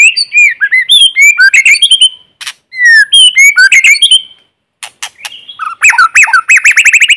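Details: White-rumped shama, a lure bird, singing in forest to provoke other birds, recorded without background noise: rich, varied phrases of slurred whistles, sharp clicks and rapid trills, with brief pauses around the middle and a dense burst of repeated notes at the end.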